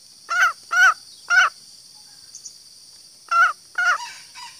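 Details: Green junglefowl female calling to attract males, three quick rasping clucks, a pause of about two seconds, then two more, all over a steady thin hiss.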